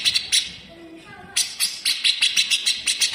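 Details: Cage grey-cheeked bulbul pouring out sharp, coarse full-speed besetan, a master song for greater green leafbirds: a few rasps, a soft low whistled phrase, then a long run of about twelve quick buzzy notes.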